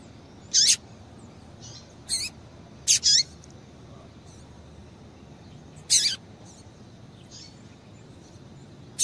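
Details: Female coleiro tui-tui, a Double-collared Seedeater, giving calls meant to excite a male: scattered short piercing chirps, some doubled, with fainter softer notes between, irregularly spaced across several seconds against quiet hiss.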